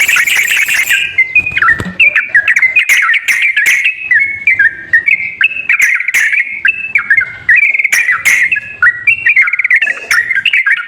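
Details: Sooty-headed bulbul song played as a lure to coax a quiet bird into singing: a lively run of bubbly, whistled two- and three-note phrases that jump up and down steadily for eleven seconds, with a harsher burst at the start.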